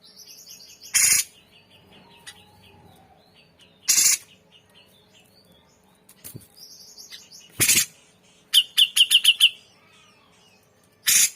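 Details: Grey-cheeked bulbul singing vigorously in a song-tutoring recording: faint warbled phrases, then a quick run of about five bright, clipped notes at the same pitch, with several loud sharp clicks spaced a few seconds apart.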